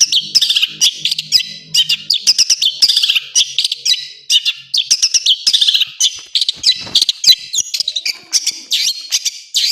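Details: Varied, high-pitched chattering song of a Long-tailed shrike, used as training material for other birds, with dense bursts of twittering and mimic-like notes running almost without a break.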